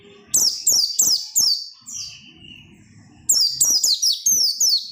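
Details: Oriental white-eye song intended to make other white-eyes sing eagerly: high, rapid descending twitters in two bursts, with a thin steady whistle-like tone in the gap between.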